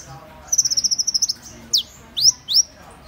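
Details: Van Hasselt's sunbird song: a rapid trill of about ten thin high ticks, followed by three strongly slurred whistles, one falling and two rising.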